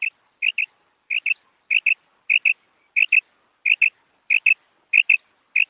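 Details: Female quail call, used as a lure for hunting: crisp high double notes, 'quip-quip', repeated steadily about every 0.6 seconds, ten pairs in a clean series with a quiet background.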